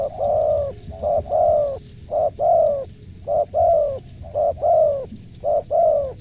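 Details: Spotted dove with a clear, crisp voice, cooing steadily. About six paired phrases, each a short clipped note then a longer rounded coo that slightly falls, repeated roughly once a second, loud and close over faint background hum.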